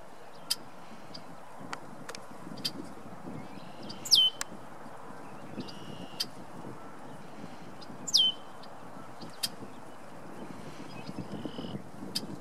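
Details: Red-winged blackbirds singing for a mate by a pond on an April evening in Ohio, USA: two harsh, gurgling, buzzy trills about four seconds apart, with scattered short chips over a steady low rumble of wind or distant traffic.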